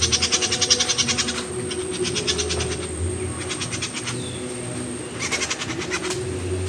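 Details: Myzomela recorded 25 December 2022 for behaviour observation, giving bursts of sharp, high chips, about three or four a second, with pauses between runs; a steady high whine and low rumble run underneath.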